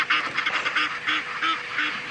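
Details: Egyptian geese (Alopochen aegyptiaca) at sunset in May, being chased by young bull elephants at a waterhole in South Africa: harsh, raspy, breathy hissing honks in quick bursts, about three a second, several birds overlapping.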